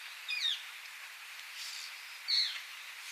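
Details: An introduced rose-ringed parakeet in Kiyose, Japan, gives two brief, high, slightly squeaky notes about two seconds apart over soft steady hiss; the recordist wonders whether it is imitating a brown-eared bulbul.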